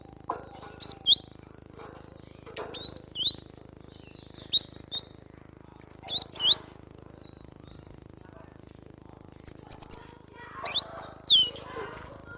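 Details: Cinereous tit singing actively, recorded as a training recording for songbirds: sharp high whistled notes and quick slurred upward and downward phrases in irregular bursts, then a fast run of five identical clipped notes, with a low steady hum beneath.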